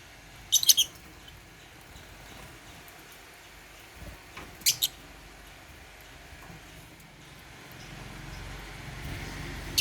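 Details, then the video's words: African lovebirds at meal time eating holy basil; two short, sharp, high chirp bursts close together near the start, then another pair a few seconds later over a quiet room hiss. "African Love birds | Eating Holy basil | chirping sound"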